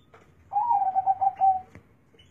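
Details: Zebra dove with a big, deep bass voice, giving one smooth, low, pure cooing phrase lasting about a second that wavers slightly in pitch, on a quiet background.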